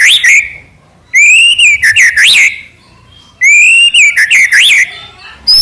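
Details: White-rumped shama singing two similar phrases of loud whistles, each a long steady tone followed by looping up-and-down slurs, about two seconds apart.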